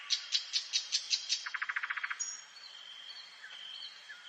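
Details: Nightingale singing at night in a forest: seven loud repeated chipping notes, then a rapid rattling trill of about ten notes, followed by quieter thin whistles over a constant high-pitched background tone.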